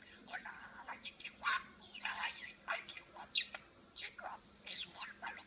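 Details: A parakeet mimics speech with a string of raspy, mumbled syllables and bright chirps, about one burst every second or two, against a faint steady background hum.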